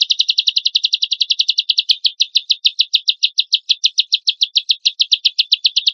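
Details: Champion lovebird pouring out rough 'tembakan kasar' song as a lure for other lovebirds: a fast, relentless chattering stream, briefly broken near two seconds, then continuing in slightly slower, evenly spaced sharp notes.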